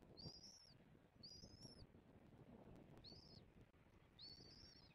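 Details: On a Southwest Florida nest camera, 06/01/2024, bald eagles feed their chick. Four arched, piping whistles, high and thin, come in uneven spacing over a rumbling low background.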